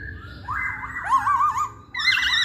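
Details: Short burst of masked laughingthrush song used to provoke singing, with a rising whistle, a rapid wavering warble, and then a loud buzzy, trilled phrase.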